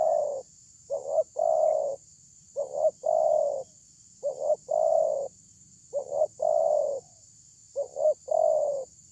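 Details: Spotted dove with a big voice, used as a lure to draw replies: five regular phrases of paired short coos followed by a long, mellow, slightly descending coo, repeated about every 1.8 seconds over a steady high hiss.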